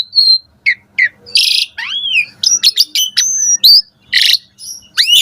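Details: Varied morning song from an Asian pied starling, meant for training caged birds, mixing pure whistles, grating rasps, sharp clicks and swooping upslurs in a lively, irregular sequence.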